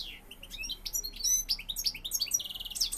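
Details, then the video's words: Male European goldfinch courting a female, delivering rapid high-pitched twittering song with tinkling chirps, short buzzy notes and quick trills running continuously. "jilguero pegando ala hembra"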